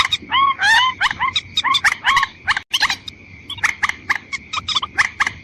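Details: White-breasted waterhen calls used to lure females and males: strident, harmonic squawks rising and falling, then chattering runs of short croaks, broken by a brief silent gap midway; a steady faint tone persists.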